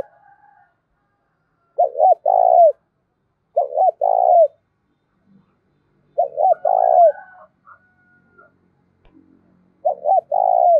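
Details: Decoy spotted dove with 'giọng thổ' voice, used to attract wild doves. Four evenly spaced phrases, each two short looping notes followed by one longer burry coo, with faint thin whistles and small knocks between them.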